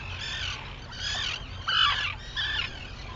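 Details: Arctic terns at sunrise on Seal Island, Maine, 11 June 2018, give harsh, grating calls, four rasping bursts about every two-thirds of a second, over a low rumble of wind or surf.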